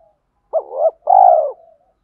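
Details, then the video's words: Short spotted dove coo used to rouse decoy birds: a wavering first note followed by a longer, vibrating coo, then silence. "tiếng chim cu gáy kích bổi mới và tập mồi hiệu quả"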